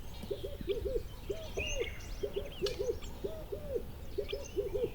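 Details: Birds calling outdoors: low, arched hooting notes in pairs and threes, repeated about every second, with thin high chirps and twitters scattered above and a steady rumble of background noise.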